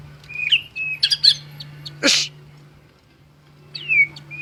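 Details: A champion white-rumped shama utters sparse phrases of high, clear whistles and thin flicking notes, one sharp harsh burst in the middle, then a descending slurred whistle after a quiet pause; a constant low hum runs throughout.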